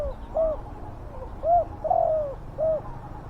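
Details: Spotted dove cooing, used as a lure to catch wild doves: soft, low, hollow coo notes spaced about a second apart, fairly faint over rumbling background noise.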